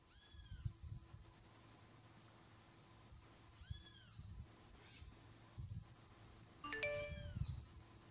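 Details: Three harsh, arched screeches from a yellow-collared macaw feeding on the ground in the Pantanal, Brazil, spaced a few seconds apart, over a low wind rumble with a brief bell-like ding.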